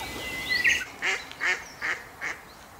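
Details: Eurasian teal calling: a thin whistled note, then five short nasal, slightly buzzy calls spaced about every 0.4 seconds, each one quick and even in pitch, over a quiet background.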